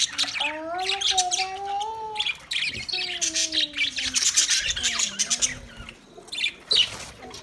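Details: Budgerigars in dense, scratchy high chatter of overlapping warbles and chirps, with smooth, falling low tonal whistles sliding through the first half.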